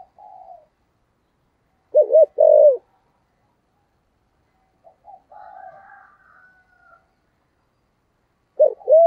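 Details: Spotted dove in 'thổ sấm' voice, calling song meant to stir newly caught birds: scattered low coos, a loud double-noted burst early, a soft murmuring stretch midway, and a strong hooting phrase starting at the end.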